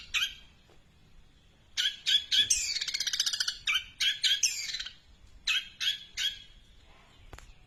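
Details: Long-tailed shrike song with quiet gaps between loud clusters of harsh chattering notes and a fast rattling trill in the middle.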